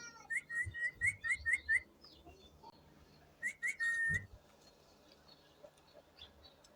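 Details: Pet budgerigar chick calling indoors: a quick run of about seven short whistled chirps, then a pause, and a second burst ending in a longer held whistled note. Faint low hum and soft room noise underneath.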